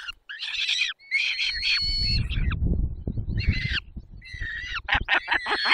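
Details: During a feeding at 10:22 on 20 May 2021 in the Barycz Valley, Poland, a peregrine falcon gives bursts of screeching, wavering calls, separated by a stretch of low rustling and thumping.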